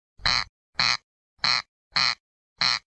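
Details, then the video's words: Corncrake (Crex crex), a migratory bird: five harsh, dry rasping calls in three seconds, each a short broadband burst separated by clean silence. "صوت مرعه الغيط Cerx cerx sound"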